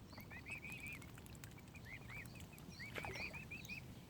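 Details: Baby mute swan cygnets at Oxford Island Nature Reserve, Lough Neagh, Ireland, peep continuously: a steady chain of high, arched whistled notes, several per second, over a low rumbling outdoor background.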